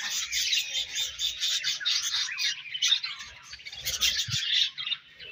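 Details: Budgerigars chirping while feeding and trading food: a steady stream of pulsing, scratchy high notes from overlapping birds, with one short low knock near the end.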